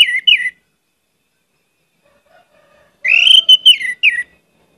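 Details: Orange-headed thrush giving short loud whistled phrases, a brief falling burst at the start and a longer varied warbling phrase after a pause of over two seconds.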